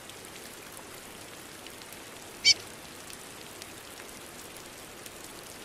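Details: Curió (chestnut-bellied seed-finch) female peeping in rain, a single brief high-pitched chirp near the middle, with constant rain noise throughout.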